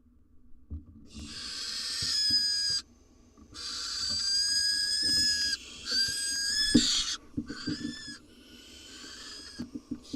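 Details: Wild barn owls in a nest box as the male delivers a rodent to the female and nestling; harsh, hissing screeches in three long bursts, the last broken into shorter rasps, with faint scuffling beneath.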